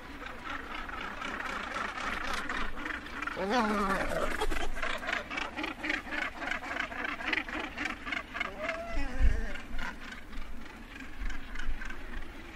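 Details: Northern gannet colony edge with birds landing and taking off: a steady stream of harsh, clipped calls and flight calls from many birds, one sliding rising-falling call standing out, over low rumbling background.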